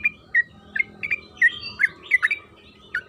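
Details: Lure recording of a sooty-headed bulbul singing, spaced bright chirped notes that drop slightly in pitch, some doubled, given at irregular intervals of roughly a third of a second.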